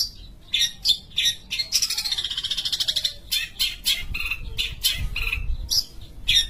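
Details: Long-tailed shrike from Sumatra singing energetically: short scratchy phrases, then a steady rapid chatter of repeated buzzy notes, followed by more sharp chirps and whistles.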